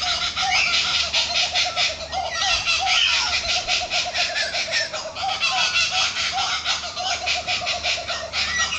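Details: Laughing kookaburras calling from trees, a dense loud chorus of rapid repeated chuckling notes overlapping throughout, with a steady pulsing rhythm and a lower hooting undertone.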